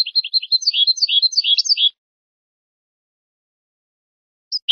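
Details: European goldfinch singing on a tutor recording for young birds: a rapid, jumbled twitter of high chirps lasting about two seconds, then silence, ending with two short separate notes.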